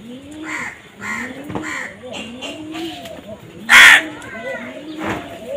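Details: Crow giving a single loud, harsh caw midway, with fainter repeated rising-and-falling calls and background voices throughout.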